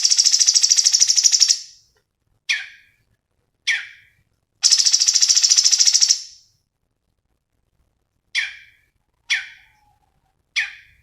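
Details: Black-headed bulbul (cucak cungkok) in a bird-training recording: two long, loud, buzzy trills of rapid pulses alternate with short, harsh, descending chirps, roughly one to two seconds apart, with no other noise.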